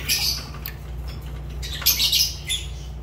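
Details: Short burst of Fischer's lovebird calling: a couple of sharp, high, rasping squawks over a constant low background hum.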